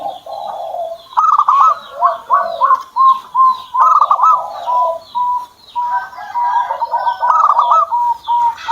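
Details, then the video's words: Kept zebra dove, used as a tutor recording for other birds, giving short clipped cooing notes near one pitch in quick runs. Some notes form brief trilled clusters. Lower blurry tones and faint chirps sound underneath. "PERKUTUT SAYA JADI MAU BUNYI"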